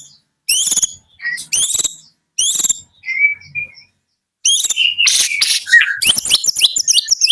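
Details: Medan-type white-rumped shama in morning song: three spaced bursts of rasping high notes, a soft thin whistle, then a long, dense run of buzzy and chattering notes.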